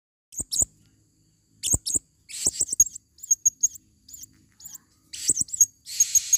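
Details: Female blue-crowned hanging parrot in forest, recorded for use as a lure: rapid bursts of very high, thin squeaky chirps and twittering notes, some wavering, in irregular clusters with short pauses, plus faint low clicks.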